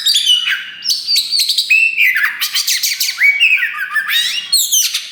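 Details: Loud song of a black kacer wulung Oriental magpie-robin that has just grown a new tail: sweet whistles slide up and down, interrupted by dense scratchy rattles in quick succession.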